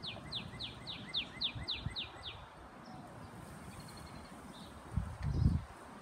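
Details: Female northern cardinal, brownish in colour, calling to attract its mate: a quick run of about nine clear downslurred whistled notes, roughly four per second, for two and a half seconds, then fainter notes over low rumbling background noise.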